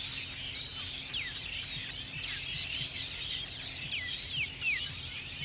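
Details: Dense, high-pitched chattering of Striated babblers with eggs and chicks, quick squeaky slurred notes tumbling over one another without pause above a faint steady hiss.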